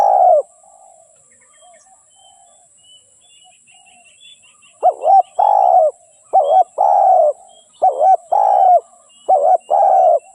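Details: Luring call of a decoy spotted dove used in trapping. One coo ends, a pause follows, then a rapid run of four hollow phrases, each a short double note and a held coo, with faint chirping in the background.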